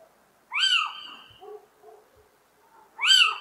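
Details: [5, 'Little owl (Athene noctua) giving two loud, nasal, arched mewing cries about two and a half seconds apart, with faint softer notes between them.']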